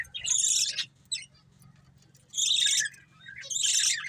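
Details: Breeding pair of budgerigars giving three bursts of harsh, buzzy high chirps, each under a second, separated by short quiet gaps, over a faint low hum.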